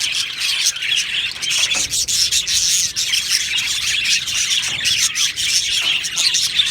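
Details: Many Australian budgies in an aviary giving continuous busy chatter, high raspy warbles and squeaks layered together, with a few brief dips where the chorus momentarily thins.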